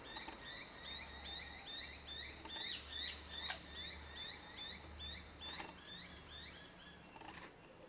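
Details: Rainbow lorikeets, wild parents with two young that have high-pitched calls, feeding on powdered nectar at a front balcony; rapid series of short, high, rising chirps repeated about twice a second, steady and continuous, over a low background hum.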